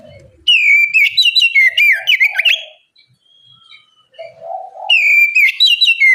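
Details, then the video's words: Oriental magpie-robin singing loudly as a bait song to prompt other birds to answer: rich whistled phrases around 2–4k with sharp ticks, a quiet pause with a soft low warble, then the bright whistling resumes. "Pancingan kacer gacor ngeplong masteran kacer bahan lekas bunyi nyaut!"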